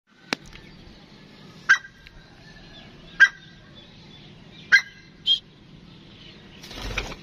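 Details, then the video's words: A pet grey francolin (Dakhni teetar) gives sharp, clipped notes about every second and a half, with a higher shrill note near the end, then a brief rustle. "Dakhni Teetar Voice"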